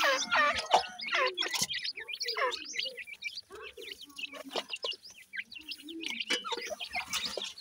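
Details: Young francolins (teetar chicks) feeding, many calling together: rapid high, upward-flicked peeps, roughly three per second, uneven in rhythm, mixed with lower soft chirrs.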